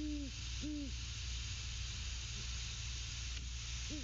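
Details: Great horned owl at the nest hooting to its mate; two long, level deep hoots at the start, a quiet gap, then one more hoot beginning at the end, over constant low hum.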